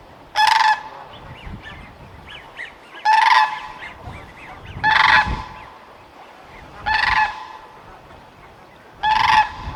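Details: Sandhill crane, recorded in 2025 in British Columbia, Canada, giving five loud, harsh, rattling calls about every two seconds, with faint thin whistles from other birds between them.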